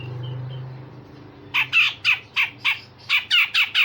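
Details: Rough rapid series from a grey-cheeked bulbul used to train songbirds, starting after a quiet second and a half with about nine loud raspy notes in quick succession, low hum beneath.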